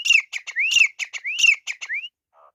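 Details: Teetar, the grey francolin, in a fight: a fast repeated phrase of an upswept whistle followed by three or so clipped harsh notes, cycling about every half second, then a faint low note at the end.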